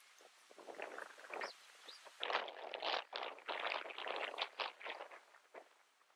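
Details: Northern jacana (Jacana spinosa violacea) at Imías, Cuba, in August 2017, giving harsh, squeaky chattering notes in uneven bursts, roughly two per second, with a faint outdoor background.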